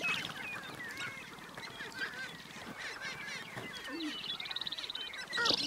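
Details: Grouse performing mating dances on a display ground (lek), possibly ruffed, sharp-tailed, spruce grouse or prairie chickens, give overlapping cackling, cooing and honking calls, with a quick rattling burst near the end.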